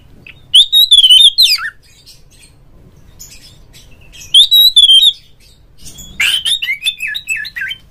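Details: Oriental magpie-robin, a caged bird, singing loud to prompt other magpie-robins to sing: three bursts of varied whistled phrases around a steady high note, the last burst with quick sliding notes, quiet pauses between.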